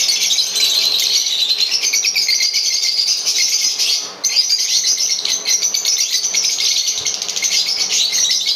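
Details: Green Fischer's lovebird pair, singing and chirping; a continuous dense, buzzy high chatter of rapid twittering notes, nearly unbroken for the whole stretch with one brief pause midway.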